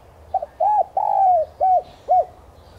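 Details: Spotted dove lure call, used to stimulate captive doves to coo: one phrase of low hollow coos, two short opening notes, a longer drawn middle coo, then two separate clipped coos, in a quiet setting.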